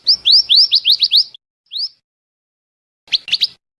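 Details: Bird-trapping lure of a Scarlet minivet: rapid rising whistles repeated about four per second, one lone upswept note after a pause, then a cluster of short sharp chips.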